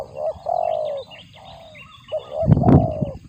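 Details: Spotted dove feeding its young, sound compared to a cricket; buzzy sustained coos with short lead-in notes, ending with a loud thump and rustling noise.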